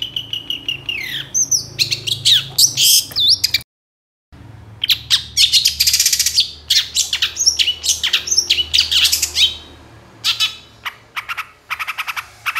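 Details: Lively long-tailed shrike song meant to provoke other shrikes into singing. Bursts of harsh scratchy notes and bright high whistles, a brief dead-silent break near four seconds, then more dense chattering phrases, with a low background hum.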